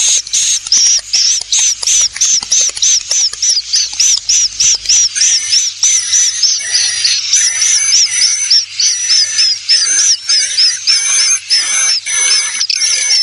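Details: Swiftlet lure call, LIUR 77: rapid, high, twittering chirps repeated about three times a second, some rising, some with thin whistles, in a lively, almost continuous chatter.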